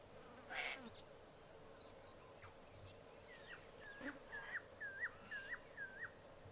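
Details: Apostlebirds at Mareeba Rodeo Grounds, far north Queensland, giving a run of about six short, squeaky mid-pitched notes, roughly two per second, over a steady high insect hiss.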